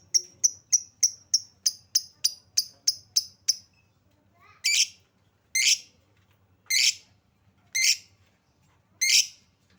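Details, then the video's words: Lovebird lure sound for triggering singing: a fast string of about eleven short, bright tweets, then five louder, broader shrill chirps spaced roughly one second apart. "Suara pancingan Lovebird"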